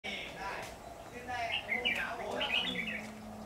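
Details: Red-whiskered bulbul singing during a trapping session on 10 September 2019, bright warbled phrases around the middle and end of the snippet, rising and falling, with a man's voice speaking briefly nearby.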